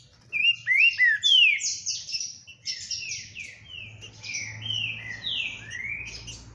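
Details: Green-winged saltator, described as a very spirited, unbeatable singer, delivering loud whistled phrases: a few sharp rising and falling slurs first, then a run of descending whistled notes at a brisk pace, with a faint low hum behind.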